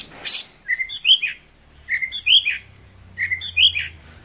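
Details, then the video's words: Pasaman white-rumped shama, a captive Indonesian songbird valued for loud volume and 'ngerol nembak' song, serving as a vocal tutor; a short whistled phrase of rising and falling chirps is repeated three times about every 1.4 seconds. "MURAI BATU GACOR MATERI MEWAH JADI GURU VOKAL HANDAL"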